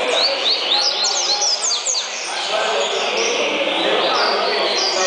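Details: Double-collared seedeater kept as a tournament competition bird, singing rapid high, thin notes that slur downward in quick succession, then a busier warbled stretch, over a constant loud background noise with men talking.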